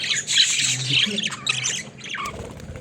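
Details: Caged budgerigars playing, a loud burst of scratchy squawks and chirps at the start fading to softer chatter, with a low hum underneath through the whole stretch.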